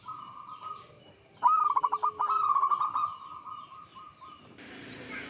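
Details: Local zebra dove, a vigorous singer, used as a lure to get other doves singing: a soft coo, then a rapid trilled, bubbling run of cooing notes that holds steady before trailing off into a longer coo.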